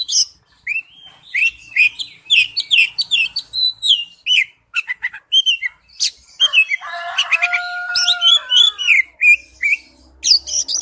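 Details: Oriental magpie-robin in wild-type forest-voice song: long varied sequence of slurred whistles and quick chirps, with a middle stretch of lower, steady held whistled tones, then rapid high twittering.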